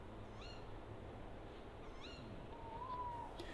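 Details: Tawny owls, a confident male and a female, visiting a lit feeding table at dusk beside a wood in the Dart Valley near Tiverton, Mid-Devon, in autumn: two sharp arched 'kewick'-like calls about 1.5 s apart, then a short level hoot, over a low rumble.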